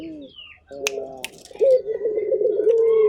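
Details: Local Barbary dove: a soft, low tone, then clicks and wing sounds, before a rolling, trilled coo ends in a level drawn-out note, with high bird chirps faintly behind.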